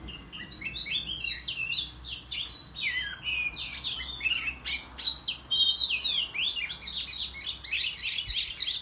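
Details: Oriental magpie-robin singing competitively in the countryside while fanning its tail: a continuous dense stream of varied high whistles, slurs and chattering notes with no pauses, over faint low background hum.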